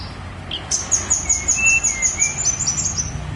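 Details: Snowy-browed flycatcher singing on Gunung Songgo Langit: a rapid run of very high, thin, evenly spaced ticking notes about five per second, threaded with a lower, drawn-out whistle, over a steady low rumble.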